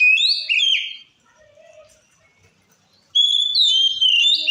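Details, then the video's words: Provoking song of a kacer, the white-rumped shama: a short phrase of swooping whistles, a quiet gap, then a fresh burst of high, sliding whistled notes. "Suara Kacer Gacor Ngeplong Ampuh Memancing Emosi Kacer Lain - Pancingan Kacer"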